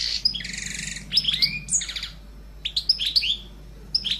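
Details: A pet sparrow sings high, chattering chirps and buzzy trilled phrases in quick bursts, with short pauses between groups of notes.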